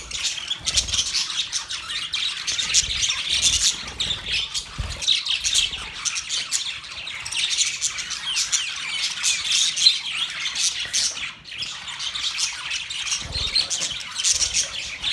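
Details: Several pet budgerigars, recorded 19 November 2023, chatter together in a dense stream of high, scratchy chirps and warbles.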